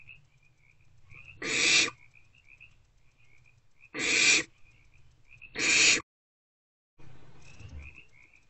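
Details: Barn owlets snuggling in a nest box in the early hours of 2 March 2024: three loud, harsh hisses, then a softer, noisier rasp, over steady faint high whistly tones.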